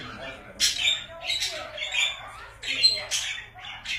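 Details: Pet budgerigars squawking: loud, raspy, buzzy calls in quick irregular bursts, some notes sharp and grating, indoors with light background hum.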